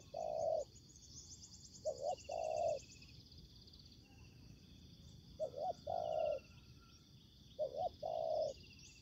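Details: Spotted dove cooing while a decoy faces a wild fighting bird in trapping. Spaced phrases of two quick notes and a longer coo, about every three seconds, beneath a buzzing insect chorus and faint trills.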